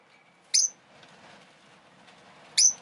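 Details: Two sharp, squeaky chirps about two seconds apart from a pet rosy-faced lovebird, over a faint low murmur of street noise.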